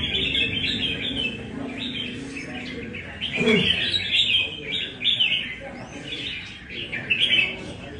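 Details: Red-whiskered bulbul of Nam Đông stock, practising at a café in Đà Nẵng, Vietnam: lively chattering song of short whistled, warbling phrases, louder bursts every second or so, with a brief low thump and faint background noise.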